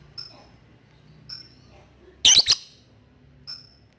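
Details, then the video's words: Lovebird ngetik call, aimed at a rival to get young birds trilling ngekek: sparse thin high ticks around one loud, grating double burst. "LOVE BIRD NGETIK MEMANGGILLAWAN AGAR RAJIN NGEKEK"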